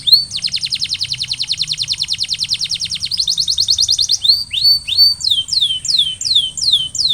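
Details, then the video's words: Canary singing as a trigger for other canaries: an extended rapid roll of repeated notes, then rising slurred whistles and slower falling phrases, continuous and loud with faint high hiss. "Canary Sound Trigger: Turn Silent Canaries into Instant Singers!"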